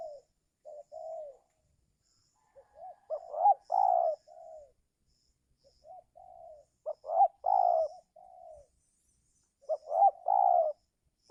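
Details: Spotted dove calling loudly to lure wild birds during the giring season, when wild birds hardly come down; repeated phrases of short soft notes building to a cluster of rising notes and a long coo, about every three seconds.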